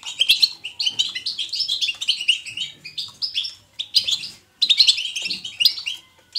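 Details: A European goldfinch twitters vividly in natural style, for encouraging goldfinches to sing. Quick, high chirps and metallic trills pour out in long phrases, with a clear pause midway and another near the end.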